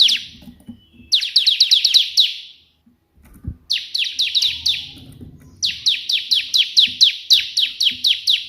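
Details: Bar-winged prinia singing energetically in the 'tembakan' burst style, the perenjak putih version, used for tutoring birds: three rapid volleys of sharp, downward-sweeping high chirps, about seven notes each, with short pauses and faint low rumbling behind.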